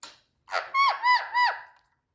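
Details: A talkative Indian parrot's squeaky talking voice: a short rough burst, then three clear, nasal, speech-like syllables, each dropping at its end, over about one second, indoors.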